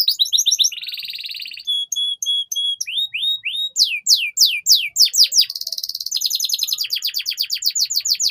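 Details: Canary singing long and steadily, a master track meant to draw young birds into song: buzzy rolls, held whistled tones, a series of rising and falling swoops, and a closing rapid trill.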